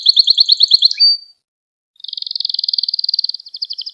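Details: Canary singing, recorded as a lesson for young birds: a fast rattling trill ending in a brief whistle, a pause, then a long rolling trill that breaks into spaced chirps.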